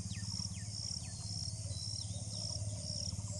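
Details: Cinnamon bittern calling: a low, throbbing croak pulsed rapidly, about twice per second, under a constant high insect buzz, with faint descending chirps from other birds.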